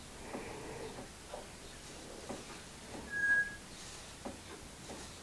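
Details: A tame pet parrot at a rescue centre in Harberton, South Devon, whistles one clear, steady mid-high note about half a second long in a quiet kitchen with faint clicks and rustles.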